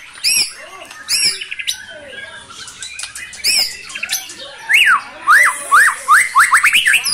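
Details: White-rumped shama kept as a cage bird, singing hard with borrowed fill-in material. Harsh high bursts come first, then a rapid series of loud rising-and-falling whistled notes, about seven in quick succession.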